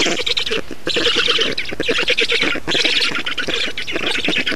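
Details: Feeding at an Estonian black stork nest on 6 June 2019, with grating, wheezy squawks delivered in quick rattling bursts separated by brief gaps roughly every second.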